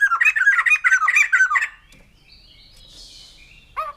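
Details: A white-crested laughingthrush gives a fast string of cackling, laughing notes for under two seconds. Faint high drawn-out notes follow, then one more loud call at the end.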